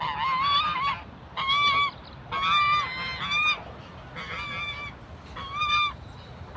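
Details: African geese attacking and chasing people, honking in loud, slightly wavering nasal blasts roughly once a second, some drawn out, others clipped, over low background noise.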